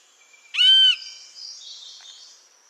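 A Lesser Yellownape gives one loud, rich, slightly mewing whistled note lasting under half a second, easing downward at the end, over a faint high insect hiss.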